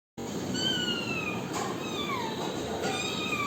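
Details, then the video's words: ['Parrot giving long, harmonic-rich calls that slide slowly downward, two drawn-out notes with a short gap between them, over steady background hiss.'] "parrot original voice"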